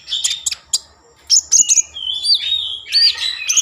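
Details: Common iora in full voice, played to stir breeding mood and make ioras sing; sharp high chips give way to clear whistled slurs and a squeaky, warbling phrase near the end.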